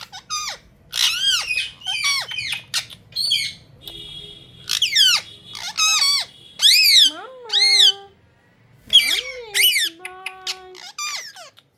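A ring-necked parakeet chatters in quick, high, harmonic bursts, mixing word-like phrases with sharp rising and falling squawks. A low hum sits beneath.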